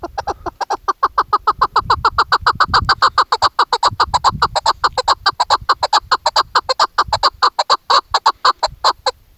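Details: Female chukar partridge kept for hunting, calling in hunting season: a fast, steady run of short, clipped chuk notes, about two to three a second, loud and even throughout, with faint low rumbling beneath.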